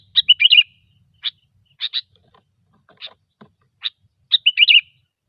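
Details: Sooty-headed bulbul singing in gecor style as a lure: warbled bubbling phrase, a string of spaced clear chips, then another rich rolling warble to close.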